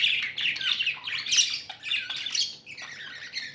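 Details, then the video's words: Happy pet budgies give a short run of bright, squeaky chirps and scratchy warbled notes in quick succession, fading slightly toward the end. "Happy budgies chirping sounds"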